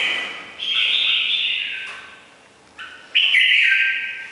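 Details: Red-whiskered bulbul of the củ đậu type with a ringing bell-like voice: long bright whistled phrases with sliding notes, two loud phrases separated by a short pause.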